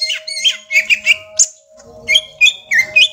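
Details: Young greater green leafbird in ngentrok song: quick twittering whistled phrases, a short pause, then separate sharp whistled notes, over a faint steady hum.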